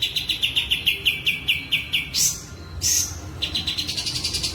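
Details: Sooty-headed bulbul in breeding condition, tail fanned, sings a quick train of bright repeated chips, roughly six each second, interrupted by two loud harsh bursts, then the chipping starts again.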